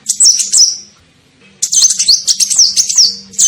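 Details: Lure call of the kolibri ninja sunbird, used to attract birds: a short high twittering phrase, a pause, then a longer fast run of shrill chirps and slurred whistles, with a faint steady low hum.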